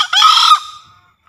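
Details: Javan green junglefowl crow used as a lure in forest trapping or to prompt newly caught birds: a hoarse two-part burst, harsh and buzzy, ending in a thin fading whistle-like tail.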